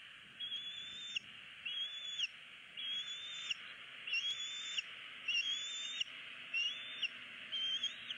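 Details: Bald eagle chick at a nest in Southwest Florida, February 2016, pleading for food while its parents ignore it: thin high whistled cries, slightly rising then dropping, repeated about every second over a steady loud hiss of background noise.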